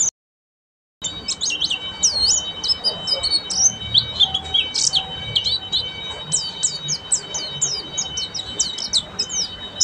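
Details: After a second of silence, a buxtomi Oriental white-eye launches into ngeriwik song, quick high looping twitters and chirp series running continuously, accompanied by a faint constant high tone.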